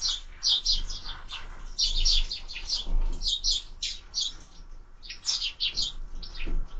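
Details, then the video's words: Sparrows at a feeder on a bird camera: loud, clipped chirps come in quick clusters separated by brief gaps, over a steady low rumble. "#воробей #sparrow"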